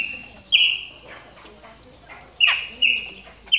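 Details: Moulting Chopi blackbird warming up, giving sharp, ringing whistled notes spaced roughly a second apart, each starting suddenly and holding an even pitch, with quiet background noise between them.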